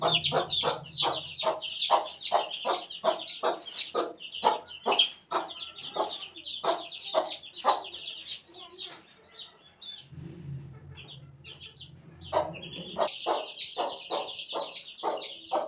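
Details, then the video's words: Chicken chick at eighteen days old peeping in fast series of high, falling chirps, pausing briefly midway before resuming, with a low hum in places. "18 days old chick"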